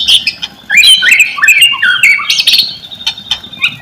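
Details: White-rumped shama song played as a lure to get silent shamas singing: rapid jumble of high whistles, slurred rising and falling notes and scratchy chatter, almost without pause.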